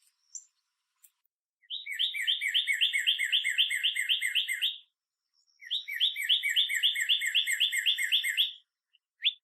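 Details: Northern cardinal singing two long phrases of rapid, evenly repeated downslurred whistles, about four notes a second, each run lasting around three seconds with a short pause between, plus a few brief high chips at the start and end.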